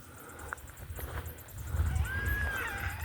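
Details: A Yellow-tailed Black Cockatoo, likely feeding on seeds, in Gibraltar Range National Park, northern NSW, Australia, near midday in summer, gives a single drawn-out, mournful wail that rises slightly then sags, half a second long, over steady wind rumble.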